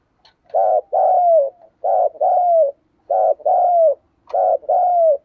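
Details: Spotted dove, a caged decoy bird, giving the urgent 'thúc gù' coo: low, hollow two-part phrases, a short note then a longer one sliding downward, repeated three times about every 1.2 seconds in a quiet setting.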